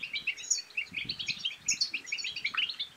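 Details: Goldfinch batbata twittering, played to encourage males to sing and females to mate. Quick, jingling high chirps tumble without pause, ending in a short rising slur, with soft thudding in the background.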